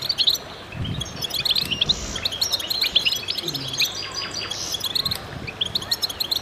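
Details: Several goldfinches singing together in a busy chorus of rapid, sparkling twitters and short buzzy notes, with brief louder bursts, plus a few faint low knocks underneath.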